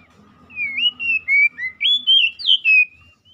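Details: Oriental magpie-robin song used to stimulate a stressed bird that has stopped singing: a run of loud, clear whistled phrases sliding up and down, about seven notes in quick succession, with a faint low hum beneath.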